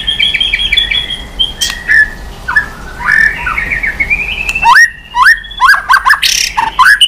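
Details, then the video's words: White-rumped shama in intense swiftlet-string singing with changing voices: soft paired whistles and short warbled phrases at first, then a loud series of sharply rising, slurred whistles in quick succession. "Chòe Lửa kéo dây yến đảo giọng đập đuôi liên tục. kích Chòe Lửa hót căng."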